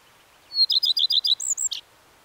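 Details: One Common redstart strophe, a high thin note followed by six or seven evenly spaced bouncing notes and a couple of higher whistles ending in a short harsh burst.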